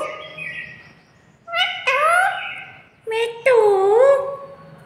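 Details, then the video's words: Pet parrot speaking with its owner: two drawn-out, wavering, harmonic vocal phrases separated by a short pause, the second dipping and rising in pitch, after a faint low murmur. "प्यारे मिट्ठू की कुछ प्यारी प्यारी बातें"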